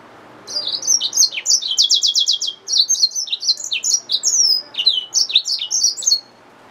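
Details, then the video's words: Yellow-fronted canary mule hybrid finch delivering a continuous, high-pitched song of quick chirps, buzzy slurred notes and fast repeated trills, lasting about six seconds without a break. "Yellowfronted canary mule | Hybrid Finch | Nature Bird sounds"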